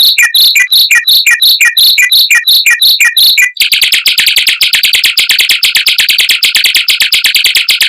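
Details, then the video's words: A mockingbird sings fast, dense rolls with long volleys to teach white-rumped shamas: repeated down-slurred whistles, then a continuous rapid buzzy trill. "Suara Burung Mockingbird Roll Speed Rapat Tembakan Panjang untuk Masteran Murai Batu"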